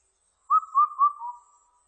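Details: Indian cuckoo song recorded in 2020: a single phrase of four clear whistled notes, the first three evenly spaced at the same pitch and a slightly lower, softer fourth note closing it, against silence.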